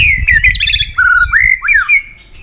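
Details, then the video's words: Fired-up white-rumped shama singing a competitive song with many wild forest voices. Loud, clear whistled phrases slide and dip, ending in a long sustained whistle. A low rumble sits underneath. "Chòe lửa hót nhiều giọng rừng đảo liên tục.chòe lửa căng lửa hót đấu đập xoay"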